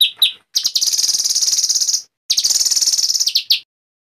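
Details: White-rumped shama in an excited singing mood: two sharp opening notes, then two long, very fast high trills split by a short gap and ending on a clipped note.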